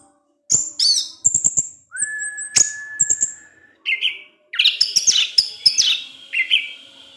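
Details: Orange-headed thrush singing at dusk to provoke other thrushes; sharp clicks and high whistles, a long level whistle, then a busy run of mimicking chirps and warbled notes.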